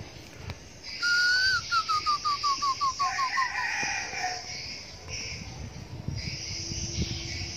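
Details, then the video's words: Red junglefowl, a young decoy bird, gives a crow: a held opening note followed by about eight clipped notes stepping downward, then fading into steady cricket and insect buzzing. "Gà mồi tơ"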